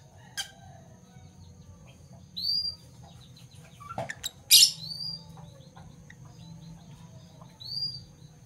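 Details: Pet Fischer's lovebirds (parblue violet and parblue turquoise) in the morning: a few sharp, high, rising chirps spaced a couple of seconds apart, with a single soft knock midway in a quiet room.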